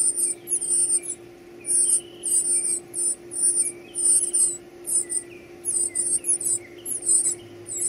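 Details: Hungry chicks being fed give clusters of shrill, high squeaks and chirps in bursts separated by short pauses, over a faint continuous low hum.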